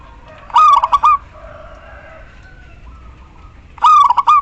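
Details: Local female zebra dove calling the male, used as a lure to make silent perkutut sing: two rapid stuttering cooing phrases, each a quick run of beats ending in a sustained note, separated by about three seconds; faint bird notes between.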